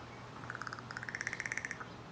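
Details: Crow interacting with a person: a quick burst of about twenty short, clicking, pulsed notes over roughly 1.3 seconds. The notes step higher partway through, then end with a lower note, over a steady low hum.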